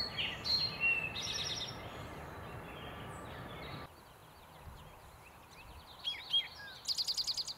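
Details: Eastern towhee in East Ithaca, Recway and Lindsay-Parsons, 8 May 2020, giving a variant "drink your tea" song. Early sharp whistled notes are followed by a quieter stretch, then a note and a fast, bright trill near the end.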